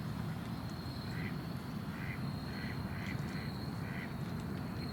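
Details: Ducks quacking: a run of six short nasal quacks, evenly spaced about half a second apart, set against a steady low rumble and a constant thin high-pitched hum.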